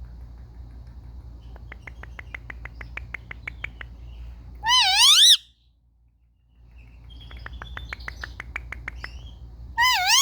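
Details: Pet Indian ringneck parakeets playing, recorded on a phone: a run of quick, evenly spaced dry ticks, then a loud, wavering, harmonic screech, a pause, more ticking chatter, and another screech starting at the end.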